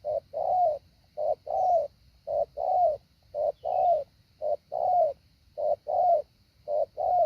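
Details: Decoy spotted dove during training, delivering regular paired coos, a short lead note and a longer coo that dips slightly at its end, repeated around once a second.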